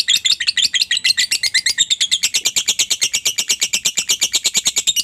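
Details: Lovebird ngekek, a lure for prompting other lovebirds to sing; a continuous, rapid, rattling chatter of shrill, buzzy high pulses, steady in loudness throughout.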